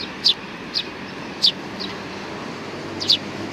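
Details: Sparrows at Tenmangu shrine on 22 May 2019: four sharp, high, downward-sliding chirps spaced irregularly about half a second to a second and a half apart, over a steady low background hum.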